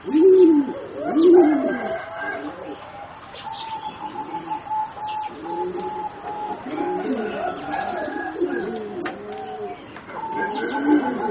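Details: Four singing zebra doves bred for competition, young birds around three and a half to four months old, uttering repeated low arched coo phrases, loud at first then softer and jumbled, with brief chirps and a thin continuous tone.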